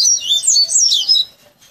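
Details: A tutored caged coleiro, a Double-collared Seedeater trained from a nestling over three to five months, gives a loud flowing phrase of high, sweet fluted whistles, slurring up and down, then fades out.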